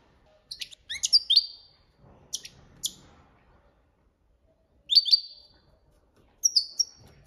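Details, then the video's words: Copia Malaga training song from a goldfinch: short clusters of high chirps and twangy buzzes in spaced bursts with silent gaps. "Jilguero Cantando la copia malaga _ Goldfinch bird singing the wonderful sounds for training songs"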